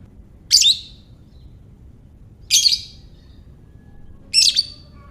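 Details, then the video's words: Lovebird ngekek call used as a lure for other lovebirds: three short, piercing, harsh chattering bursts spaced about two seconds apart, recorded close with little background noise. "Buat Mancing Lovebird Bagus Ini | Lovebird Ngekek"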